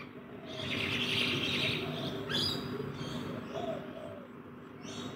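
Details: Rainbow lorikeet parrots feeding in a backyard give a loud, sustained, harsh screeching burst in the first two seconds, followed by a sharp squawk and scattered grating chatter, with a constant low hum and soft cooing underneath.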